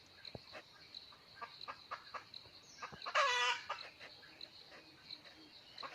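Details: Sparse clucking notes surround one loud, brief crow from a wild red junglefowl cock called in with a hen, recorded on 17 March 2020.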